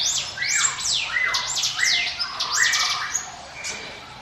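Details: Mountain prinia (ciblek gunung) song meant for use as a lure: a busy run of steep downward-sweeping whistles, high notes stacked over lower slurred ones, in fast overlapping phrases.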